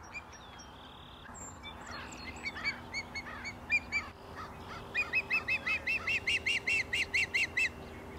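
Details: An Osprey in early spring on Cape Cod, likely a female landing on her nest and possibly calling for her mate, gives a fast run of about a dozen high, clear whistled chirps after a few scattered softer chirps.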